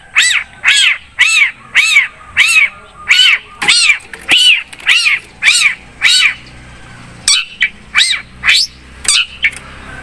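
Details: Long-tailed shrike singing hard: a steady string of arched, nasal, mewing notes repeated about twice a second, then a quicker run of sharper notes near the end.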